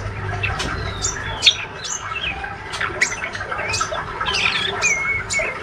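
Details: Healthy young male white-rumped shama, still spotted, giving soft ngriwik twittering: sparse clicks and brief high whistles, one clear slurred whistle near the end, over a quiet low hum.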